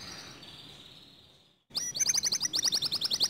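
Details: A canary's song, said to draw other canaries into singing. A faint, hissy, fading passage is followed by a pause. Then comes a loud, rapid trill of bright high chirps, about four per second.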